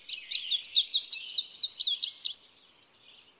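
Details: An indigo bunting sings a bright, fast phrase of paired sharp chirps and slurs that fades away toward the end, clean with no other sounds.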